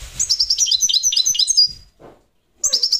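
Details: European goldfinch, parva subspecies, singing a rapid stream of high, sweet twitters for nearly two seconds, falling silent, then starting again; faint low knocks underneath.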